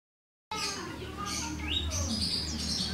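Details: White-rumped shama singing alone in the morning, delivering varied clear whistled phrases, some rising and some held, over strong broadband hiss and a low hum.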